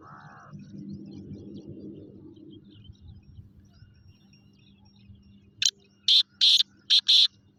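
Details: Black francolin, known locally as kala teetar, calling: after several seconds of low rumbling background, a sudden loud harsh phrase of five short clipped notes in under two seconds.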